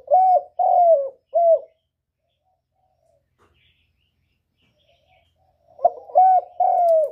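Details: Trapping-lure recording of a spotted dove: three husky coos with the last drawn out and falling, long silence of about four seconds, then the same three-note phrase repeats after a brief rough note.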